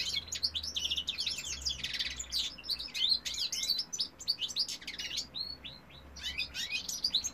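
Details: European goldfinch male singing, recorded 2018: a long, rambling phrase of rapid high twitters, buzzy trills and slurred whistles, with one short lull near the end before resuming.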